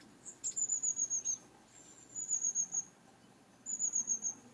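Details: Long-tailed tits keeping their flock together as they move between trees: three clear bursts of rapid, very high 'tsee-tsee-tsee' notes, five to seven notes per burst, separated by short pauses.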